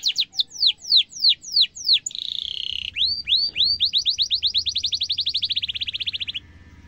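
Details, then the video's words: Singing canary in a long sharp trill meant for tutoring young birds: descending slurred notes, a sustained buzzy whistle, then a long accelerating series of rising chirps that ends abruptly; low hum underneath. "kenari gacor ngerol tajam cuit cuit kenari bisu langsung nyaut efektif untuk masteran kenari muda"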